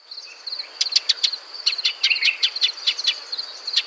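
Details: Rapid, uneven sequence of hard clicking chips from a Shining sunbird in dry desert country, roughly four or five per second, against a continuous high-pitched hum.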